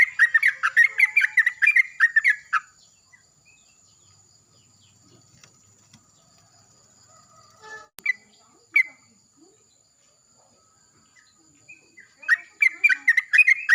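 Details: Yellow-vented bulbul greeting the morning while another answers loudly; a burst of bubbly, chattering notes at the start and again at the end, with a long quiet gap and a faint note in between.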